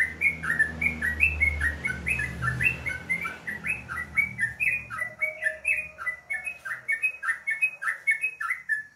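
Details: Sooty-headed bulbul in the morning singing a steady stream of short, bubbly, whistled chirps, nearly two per second, over a low rumbling hum for the first half.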